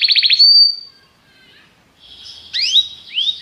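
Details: Belgian canary: a short rapid trill flowing into a long steady high whistle, a quiet pause, then faint twittering and two rising slurred notes.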